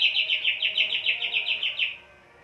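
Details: Greater green leafbird in high breeding condition, caged, delivering a fast run of about twelve sharp, slightly descending chirped notes, evenly spaced, fading out at the end.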